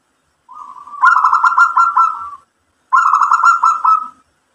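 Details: Local zebra dove song: a quiet buzzy lead-in note swelling into a loud rolling phrase of rapid pulsed coos, then a second matching phrase after a short pause, each about a second long.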